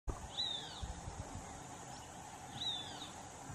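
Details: Red-breasted meadowlark giving two brief, high, slightly buzzy notes about two seconds apart over background hiss and low rumble, recorded in Guaviare department, Colombia.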